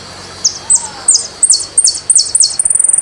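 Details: Jilguero argentino, the saffron finch, repeats high falling chirps at steady intervals, then breaks into a quick high trill at the close.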